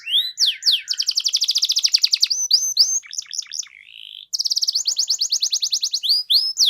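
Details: Canary singing in a stimulating 'pancingan' recording meant to prompt reluctant birds to answer: fast trills of repeated high notes, sweeping upslurred whistles, a brief nasal buzz and a short pause before another rapid trill.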